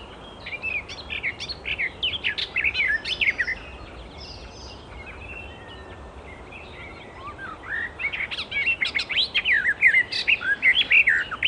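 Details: A wild Icterine warbler sings a fast, varied jumble of chattering and whistled notes in two bursts, with a quieter pause between them.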